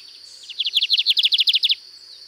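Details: Bigodinho (lined seedeater) in Cunha, Brazil, giving the 'canto diferenciado' song type: roughly fourteen quick, evenly spaced chirping notes lasting over a second, with a constant high insect drone behind.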